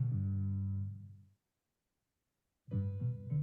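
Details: Low plucked bass and keyboard notes that fade to silence, then resume with a few chords; no animal sound.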